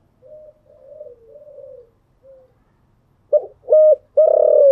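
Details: In the morning a spotted dove gives soft, distant-sounding low coos, then bursts into a loud close phrase of short hollow notes leading into a long, vibrating coo.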